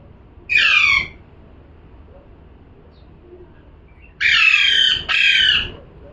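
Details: Parrot calling: one harsh, rich squawk, then after a pause a pair of loud grating squawks close together, each about half a second long.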